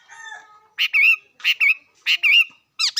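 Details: Bird giving short two-part whistled phrases, each a bright rising note followed by a wavering one, repeated about every 0.7 seconds after a faint opening note.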